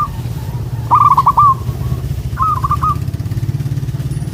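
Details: Local zebra dove singing a single loud rolling stuttered coo phrase, then a fainter one, over the steady droning rumble of a passing engine.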